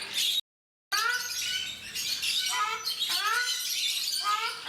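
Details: Ruddy shelducks, known in India as Brahminy ducks, in a zoo enclosure at Mysore, giving several series of upslurred, honking calls after a brief gap, against dense, hissing background birdsong.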